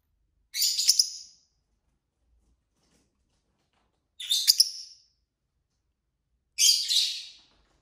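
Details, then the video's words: Pet lovebirds, several kept together, chirping while playing with a toy: three short, very high, scratchy chirps spaced about three seconds apart, with silence between them. "lovebird singing & chirping sounds"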